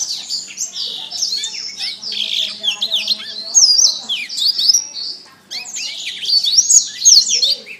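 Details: Canary masteran song for training birds: continuous, loud, rapid high warbling of twisting whistled notes and trills, with one brief break before resuming.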